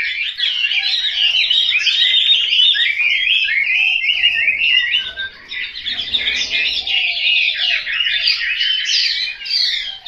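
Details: Chinese hwamei kept at home in Hanoi, singing a long, energetic stream of varied whistled phrases and rolling slurs, briefly softer midway and then picking up again into rich, rapid warbling.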